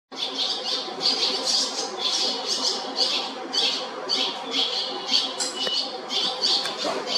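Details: Barn swallow chicks in a nest at the JR Shinodayama station building in Japan, giving a dense chorus of high, scratchy squeaking bursts in rapid overlapping runs, with a steady background hum.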